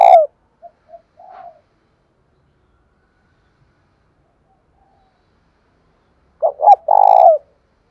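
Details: Decoy spotted dove with a 'giọng thổ pha' voice, calling to lure and provoke wild doves to fight: a clipped coo at the start, faint short notes, a long silence, then one full low cooing phrase of two short notes and a long rolling coo.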